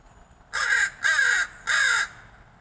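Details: Neighborhood crow fed from a fire escape, friendly toward its feeder; three loud harsh caws about half a second each with a short gap between them, rough and nasal, clear and close.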